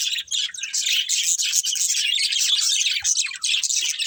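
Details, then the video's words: Steady, high-pitched twittering and warbling from budgerigars, a dense wall of overlapping chirps and short squeaks that keeps going throughout. "Beautiful Budgies Chirping Sounds"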